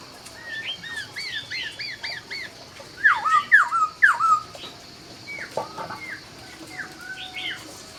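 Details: Laughingthrush greeting the dawn with a varied string of short whistled notes: soft sliding chirps at first, then a loud cluster of three swooping downslurred whistles, trailing off into quieter scattered notes.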